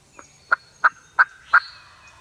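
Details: Eastern wild turkey gobbler in Mississippi at daybreak; four loud, evenly spaced hoarse notes about a third of a second apart, with a faint high bird note behind them.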